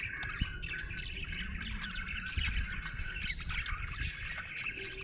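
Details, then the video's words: A happy budgie chirping: a steady, chattering warble of fine, quick notes runs through the whole stretch, over a low rumbling background hum. "Happy budgie chirping sound"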